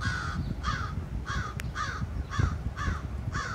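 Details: Crows at a high school in Chatham, Ontario, on June 11, 2023, give a steady series of seven hoarse caws, about two each second, over a low background rumble.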